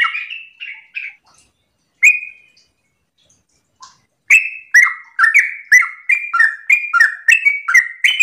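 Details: Morning ropel song of a yellow-vented bulbul, intended to prompt other bulbuls to reply. A few scattered chirps and a short gap, then a fast, dense burst of bubbly, up-and-down whistled notes repeated more than twice a second.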